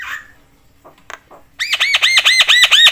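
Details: Javan myna provoking other mynas with its call: after faint scattered notes, a rapid string of arched, whistled-to-harsh notes repeated about every fifth of a second.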